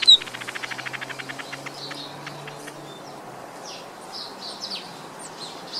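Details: Black-headed weaver (village weaver) starting with a quick run of high clicking pulses that slows and fades, followed by scattered thin chirps against a low background hum.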